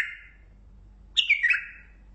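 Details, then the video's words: A single rich, falling whistled phrase from a Mandali bulbul singing lisanat, following the tail of an earlier note. "بلبل مندلاوي لسنات تغريد"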